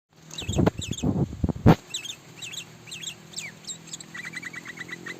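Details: Sooty-headed bulbul from Sumatra, Indonesia: after loud low thumps and handling noise, a series of short high chirped notes with quick rising-falling inflections repeats, ending in a fast run of clipped notes.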